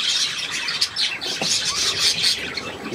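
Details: Steady high twittering from budgerigars: scratchy chirps, squeaks and short trills run together in a lively, shrill warble.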